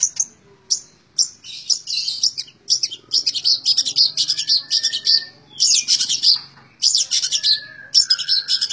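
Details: Harsh, scratchy high notes repeated steadily by a long-tailed shrike in its nonstop 'tembak ngebren' song, grouped in uneven clusters with a faint lower whistled line beneath.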